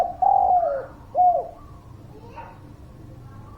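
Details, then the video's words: Energetic spotted dove singing meant to prompt quiet birds to call: a long mellow coo sliding downward, then a shorter hooked coo, followed by soft background murmur and a faint coo starting at the end. "Suara Pancingan Derkuku Gacor, Burung Malas Bunyi"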